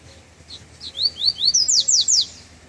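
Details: Treme Terra song of a double-collared seedeater emerging from moult, first outing in chilly weather: a series of high upswept notes that steepen into sharp descending slurs, about seven in quick succession.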